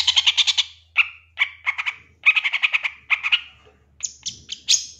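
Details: Long-tailed shrike champion of 2023 giving lure song to spur a shrike into quick, emotional singing: grouped harsh rattling bursts of four to six notes, ending in thin high whistled chips, low hum beneath.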